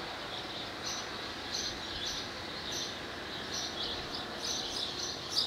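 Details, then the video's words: A singing male barn swallow, with a nest and mate nearby at Skala Kallonis, Lesvos, Greece, on 10 May 2014, gives a thin, high twittering warble in quick bursts about once a second, over a steady hiss. "Singing Swallow"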